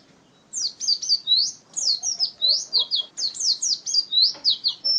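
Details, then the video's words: Pet contest white-eye, known locally as pleci, recorded in 2017 with a champion 'master' voice: after half a second of quiet, rapid high chirping phrases of sweeping, twittering notes run continuously in bursts. "Birds Chirping Pleci Master Joss Chirps"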